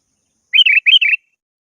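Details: Sooty-headed bulbul calling to a rival: two quick bubbly phrases, each a short run of rich warbled notes rising and falling, given in close succession, with silence before and after.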